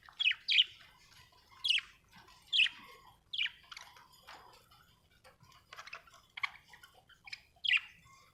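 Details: Happy budgerigar calling with sharp, rasping chirps repeated roughly every second, separated by quieter warbled chatter.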